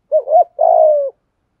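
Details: Spotted dove coo in giọng thổ and giọng thúc style, used to coax decoy birds that coo too little: two quick rounded hoots, then a drawn-out, slightly buzzy coo sliding gently downward, on a clean quiet background.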